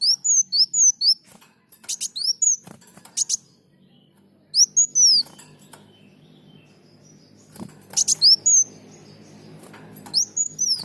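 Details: Olive-backed sunbird singing vigorously, as used for tutoring caged birds: bursts of rapid buzzy chips mixed with high sweeping whistles, in repeated phrases separated by brief quiet gaps over a faint low hum.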